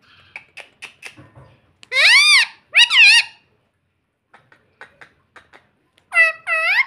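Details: Pet parrot indoors saying "mummy": two loud, wavering harmonic syllables after faint clicks and taps, a pause with more soft ticks, then two more warbled syllables at the end.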